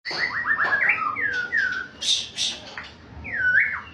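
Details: Champion white-rumped shama singing: a quick run of clear rising whistles opens, followed by slurred downward-sweeping notes, a couple of harsh buzzy bursts, and a final swooping whistle rising then falling.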